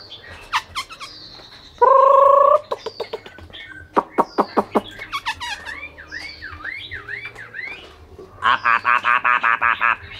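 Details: Loud, clear song of a caged Chinese hwamei in Vietnam: ringing whistles, quick repeated notes, a steady held tone, looping up-and-down slurs and a closing series of rapid, evenly spaced whistled notes.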